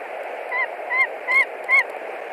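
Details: At a nest in Latvia on 20 March 2021, a white-tailed eagle screams at a stranger, probably a young eagle: four evenly spaced, slurred yelps over a noticeable background hiss.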